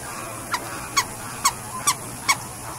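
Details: Scarlet ibis (Eudocimus ruber), a bird of Trinidad and northern South America, gives five short, harsh, honking notes, each dropping slightly in pitch, about half a second apart over a steady background hiss.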